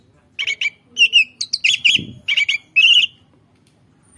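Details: Lure-bird orange-headed thrush repeating short warbled, wavering whistles in quick groups of two or three, pausing briefly between groups, with a soft thud in the background.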